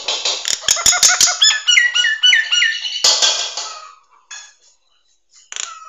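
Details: Nias hill myna training song for songbirds: a dense, loud jumble of clicks, bent whistles and chattering notes lasting about four seconds, then near silence and a final short whistled note.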